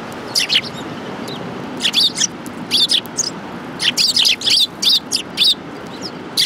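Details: Sparrows collecting at food in the grounds of a Japanese shrine on 22 January 2018, chirping in close overlapping clusters of short high notes with steady low background hum.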